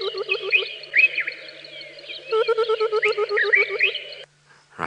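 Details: A played recording of a Burchell's Coucal call: a low, liquid bubbling run of about ten quick hollow hoots over higher whistled notes from other birds. This call is said to herald rain within a few days.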